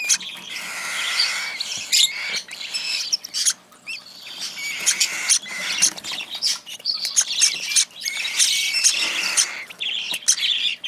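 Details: Hand-fed cockatiel chick eating eagerly, giving rough, rasping begging calls mixed with sharp chirps and sputtering feeding noises throughout.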